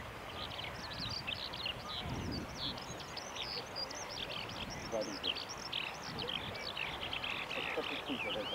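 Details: Eurasian skylark singing at Banyu Fureai Park on 15 October 2016: a continuous stream of rapid, high warbled and trilled notes running throughout, over a steady background rumble.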